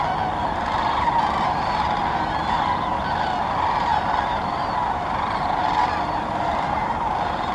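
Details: Sandhill cranes gathering in large flocks at Muscatatuck National Wildlife Refuge, Indiana; a dense, unbroken chorus of overlapping rolling, trumpeting calls forms a steady wash, with a few clearer individual notes rising above it.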